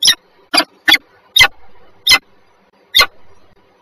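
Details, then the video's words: Two peregrine falcons, Warsaw Żerań, Poland, 14 February 2023, 7:47: six loud, harsh, grating notes within four seconds, irregularly spaced, several followed by a brief softer trailing rasp. "sokoły wędrowne"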